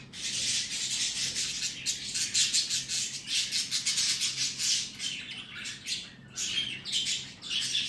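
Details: A pet cockatiel being tamed, finally cooperating, gives harsh, scratchy chirps and squawks in quick, uneven bursts. Cockatiel.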